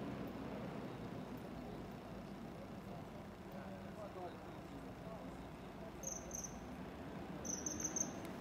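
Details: Common kingfisher (Alcedo atthis) at the Gruber canal, Ljubljana, Slovenia, 28 November 2022, giving thin, piercing high whistles in two quick bursts near the end, over a steady low rush of flowing water and distant traffic.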